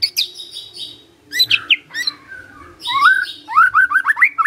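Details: Magpie-robin (murai) singing: high sharp whistles, mixed squeaky phrases, a rising whistled glide, then a quick rhythmic series of looping whistled notes.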